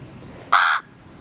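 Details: An 8-week-old male African hybrid raven, half pied crow and half brown-necked raven, gives one short, harsh, hoarse caw about a third of a second long against a quiet background.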